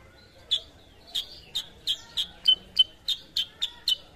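A sooty-headed bulbul gives a run of sharp, high chirped notes, about three per second, each note bright and slightly rising, over a quiet background.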